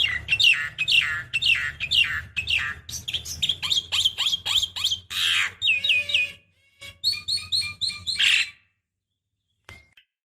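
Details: Javan myna decoy call, a female calling a male: a rapid run of harsh, buzzy chattering notes about two per second, broken by a grating burst and some clipped whistles, then a pause and a faint final note.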